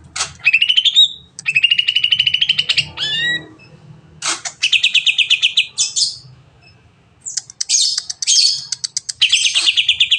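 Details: Long song of a greater green leafbird, played to prompt other birds to sing quickly: rattling trills, sweeping whistled notes and rough chatters alternating in varied phrases, with a low background hum.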